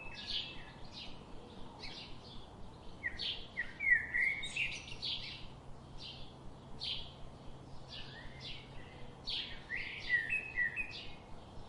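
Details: Birds chirping outdoors: short, bright, high chirps and twittering notes from several calls, irregular and rapid, with louder bursts near the middle and end over a quiet low hum.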